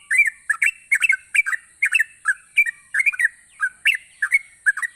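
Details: Lively yellow-vented bulbul singing, played to stimulate lazy bulbuls: liquid, warbling double notes in tight pairs, falling and rising, repeated rapidly with short gaps, under a continuous thin high tone.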